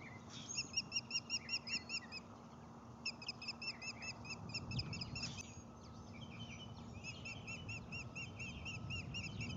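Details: Osprey calling at a Lake Murray nest during the first feeding of a newly hatched chick, 12 May 2020, early morning, nest camera; three bursts of quick, thin, high chirps separated by pauses, over a steady low hum.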